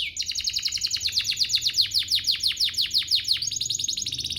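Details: Canary song for provoking other canaries to sing: a long tour of rapid, evenly repeated descending sweeps, about five per second, shifting into a faster high trill near the end.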